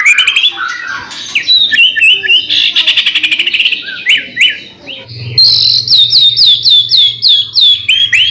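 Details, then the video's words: White-rumped shama (murai batu) song used to prompt other shamas to sing: loud varied high whistles and rapid buzzy trills, then a run of repeated rising-falling whistled notes about three per second, with a low hum beneath. "murai batu gacor AMPUH buat PANCINGAN murai batu agar bunyi"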